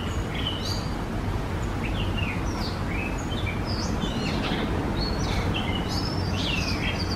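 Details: A breeding pair of blue rock thrushes (Monticola solitarius) carrying food give song in short, clear whistled phrases, some sliding downward, about every second over a steady low rumble.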